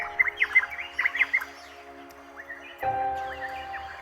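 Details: A loose flock of about twelve Varied Honeyeaters, a tropical coconut-grove bird, chase one another and their usual four-syllable calls break into a quick run of bright, clipped multi-syllable chirps over a steady musical hum, then fall quieter.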